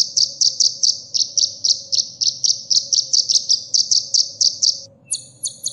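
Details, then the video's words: Olive-backed sunbird (kolibri ninja) song meant for teaching caged birds: a steady run of high chirps, about four each second for five seconds, then a few sharper trilled notes, over a low hum. "suara isian burung kolibri"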